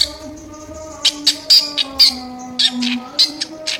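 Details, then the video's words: Harsh, coarse drongo calls: sharp rasping bursts, some with a thin whistled edge, coming in an uneven run about twice a second, over a continuous low droning hum. "Sri Gunting Gacor Isian Suara Kasar"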